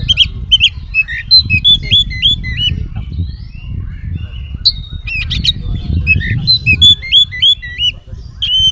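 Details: Oriental magpie-robin giving a long 'isian' filler song, a lure to prompt other magpie-robins to respond. Bright looping whistled phrases and chips, about three a second, with occasional harsh squawks over a steady low rumble.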